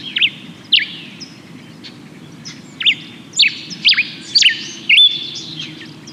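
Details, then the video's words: Common Diuca Finch dawn song, sung only in spring just before sunrise, common in Santiago, Chile: clear, slurred whistled notes, about five or six note types combined in short phrases, over a low steady hum. "La diuca solo canta en primavera y tiene un canto que se llama el canto del amanecer."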